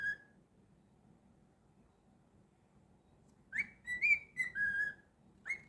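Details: Pet cockatiel indoors: one short whistle at the start, about three seconds of near silence, then a burst of bright whistled notes that rise, hold and drop, and a final short whistle.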